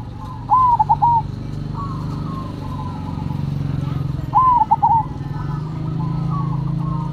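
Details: Zebra doves, Cemani and Silver varieties, singing actively. Two clear soft coo phrases, each rising then tumbling into rolling notes, with faint coos between, over a steady low engine-like hum.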